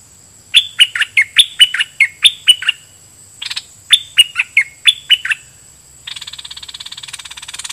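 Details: Red-whiskered bulbul used as a decoy, singing a doubled song style at wild birds: two bursts of rapid bright whistled notes, then a short pause. It ends in a harsh, buzzing, rattling noise.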